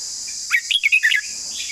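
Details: Red-whiskered bulbul giving a long song with a beautiful style. One quick phrase of about six bright, whistled notes warbles up and down, over a steady high hiss of insects.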